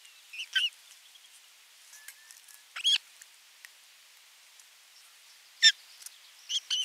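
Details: Osprey at a nest on 27 June 2022, the adult bringing a fish and watching the feeding; sparse sharp high chirps, a few loud ones spaced several seconds apart over faint background ticks.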